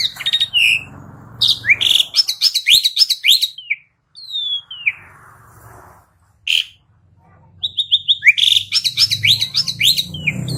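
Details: Asian pied starling in a recording meant to prompt birds to sing: dense bursts of squeaky, slurred chattering notes broken by gaps, a single long descending whistle, and faint low hum underneath.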